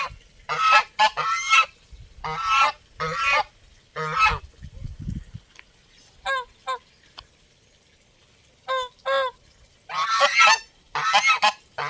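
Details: Close-up geese honking in strong, resonant bursts, calls often repeated in quick pairs and triplets with short quiet gaps, softer clipped notes in the middle, then loud overlapping honks again near the end.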